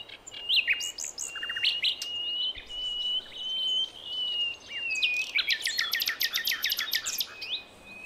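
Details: Wild Javan forest Nightingale, a female calling males, used for luring young birds: a sustained whistle with scattered chirps, then a fast run of sharp trilled notes, over steady background hiss.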